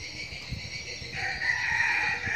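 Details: Young decoy red junglefowl giving part of a crow: a hoarse, harmonic note rising then holding level through the final second, with a constant insect chorus and low thumps behind.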